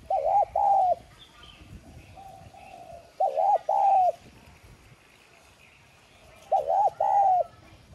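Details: Spotted dove used as a lure bird to call wild doves, giving loud coos in phrases of about three notes, repeated roughly every three seconds, with a faint quieter coo between phrases.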